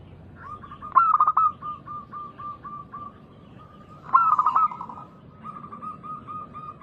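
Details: Loud-voiced local zebra dove singing to prompt other doves to answer; two bursts of rapid, bubbling, rising coos three seconds apart, each followed by a run of short, steady, repeated coos.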